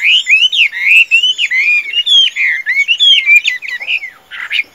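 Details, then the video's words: Tame Chinese hwamei kept in a cage, praised for strong singing and fighting, pours out loud, clear whistled phrases that slur up and down in quick succession, ending with a few rough scratchy notes. "Họa Mi Thuần, Hót Tốt - Đấu Tốt"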